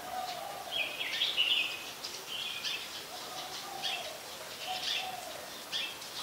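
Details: Brown-throated sunbird at Ubon Ratchathani, Thailand, 15 January 2021, delivering a warbling, buzzy high phrase followed by scattered short chirps, with gentle lower whistles and a soft outdoor hiss behind.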